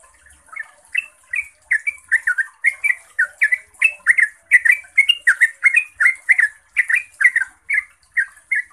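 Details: Yellow-vented bulbul giving a long, clear, rapid 'ropel' song meant as a lure to stir caged bulbuls into singing: a fast run of short bubbly, warbled notes, roughly three each second, with a faint steady high hiss behind.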